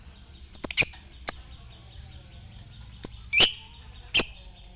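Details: Lovebird lure sound, ngetik fighter style, meant to stimulate other lovebirds into ngekek trilling: sharp high chirps in two bursts, three quick notes then a pause and three more, over a faint steady hum.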